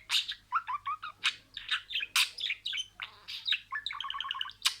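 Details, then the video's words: Talking budgerigar imitating words: a quick string of chirped, squeaky syllables and buzzy bursts, closing with a rapid rattling series of even notes. "MUHABBETKUŞU KONUŞMA SESİ"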